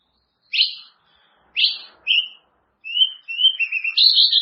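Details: White-rumped shama song meant to train caged birds: separate sharp upslurred whistles spaced about a second apart, then quicker rising whistled phrases building into a warbling sequence.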